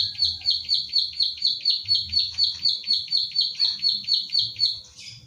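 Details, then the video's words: Pied bushchat, local name ciblek sawah, owned bird recorded in Central Java with an Infinix Hot 9 Play for training songbirds: a run of about ten sharp 'klik' notes, twice a second, ending in a brief harsher note. "Masteran Klik Klik / Ciblek Sawah Gacor"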